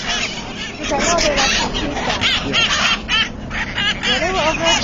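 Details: Hill parrots in a breeding colony: a dense, overlapping mass of harsh squawks and chattering notes from many birds, with rapid wavering calls and no pause throughout.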